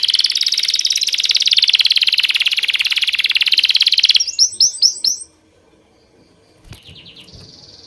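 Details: A bird sings a long, dense, rapid buzzy trill for about four seconds, then a short series of bright falling notes, a pause, and faint high chirps near the close.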